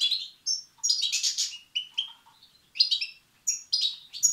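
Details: European goldfinch chicks begging, sound meant to stimulate males: clear, high tinkling and scratchy chirps in short clusters with brief gaps, a few lower notes in between.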